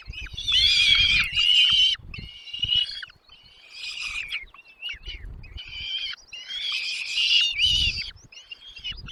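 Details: Chicks in a nest calling as their parents bring food, a dense run of harsh, high squawking and chirping in loud bursts of one to two seconds, separated by quieter short chirps.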